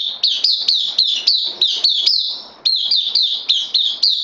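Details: Newly arrived bulbul on loan, kept caged, 12 September 2020, giving a steady run of sharp, high, upswept chirps about four per second, briefly pausing midway before the rapid series resumes.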